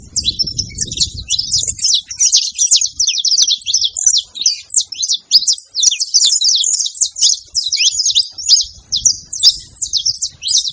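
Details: Several saffron finches making noise together at a feeder: a dense, continuous chatter of high, sharp chirps and short twittering notes overlapping without pause, with a low rumbling background noise at the start and end.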